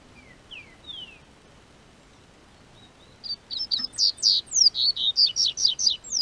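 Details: In southern Brazil's warming spring, a Double-collared seedeater gives a few thin descending whistles, pauses, then launches into three seconds of rapid, high, ringing note repetitions.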